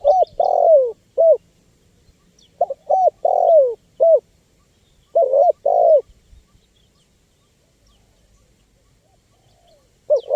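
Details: Spotted dove in active calling, used as a lure recording for wild birds; clusters of soft hollow coos, a short note followed by longer downslurred ones, come in bursts separated by silent pauses, with faint thin chirps higher up.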